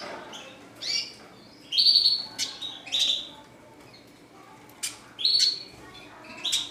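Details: Red siskin song in bursts: bright twittering phrases and sharp high chirps arrive in clusters about every second, with quiet gaps and light background hiss.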